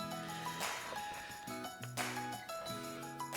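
Bright tonal music with jingling bell-like notes and percussive hits, with no animal sound.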